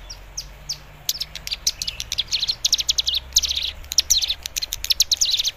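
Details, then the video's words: A young cigun learning its lure song to set off a raw cigun: a few spaced high chirps open, then a quick, unbroken chatter of sharp, thin twittering notes. "Cigun paud belajar bunyi memancing cigun bahan agar ikut bunyi gacor"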